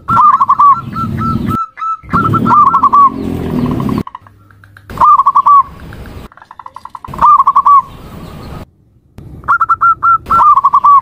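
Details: Zebra dove giving short bursts of fast, hooked coos that end in rolling trills. The bursts are separated by abrupt silences and faint low background noise.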